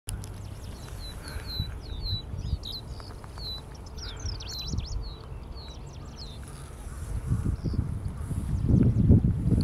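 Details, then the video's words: Middendorff's grasshopper warbler singing from atop an Angelica ursina plant in June 2022: scratchy, high twittering phrases with quick upward and downward slurs, delivered in bursts over steady low rumbling noise that swells near the end. "シマセンニュウ(島仙入） 撮影日 2022－6月 エゾシシウドの上での囀りです。"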